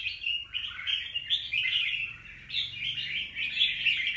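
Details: Recorded 25 December 2023, a wild-caught young red-whiskered bulbul delivers quick, clear chirping phrases, each a short tumbling warble, with a short gap near the middle.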